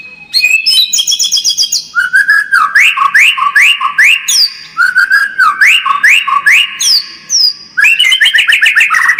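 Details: White-rumped shama lure song for making a kept bird more aggressive: rich, loud, varied whistled phrases with rapid repeated slurred notes and trills, continuous and musical.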